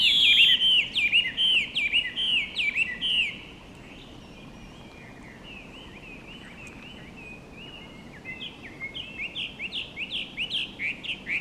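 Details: A Chinese hwamei at Komiya Park gives a loud, rich run of fast whistled notes for three seconds. After a pause, quieter repeated phrases rise and fall. Light background hiss throughout.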